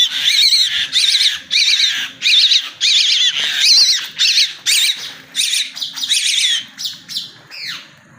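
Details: Baby common myna that has fallen from its nest, calling in harsh, rasping, wavering bursts about every half second, each with a quavering buzzy texture. The calls run in a near-continuous series, then fade near the end.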